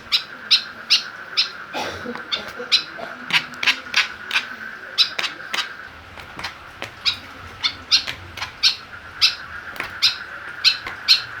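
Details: Caged white-breasted woodswallow (kekep babi), provoked with a plastic bottle it attacks to make it fierce and vocal; sharp, harsh notes repeated about three times a second with short pauses, over a steady high background hum.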